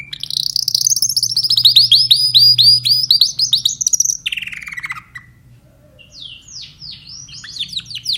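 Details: Timbrado canary song made of a long run of rapid, repeated hooked chirps rising and falling in pitch, a short descending trill, then quieter scattered notes over a low hum.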